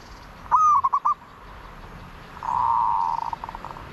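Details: A single zebra dove phrase, a sharp rising note then a short burst of rapid clipped notes, followed after a pause by a long steady coo that ends in soft stuttering pulses.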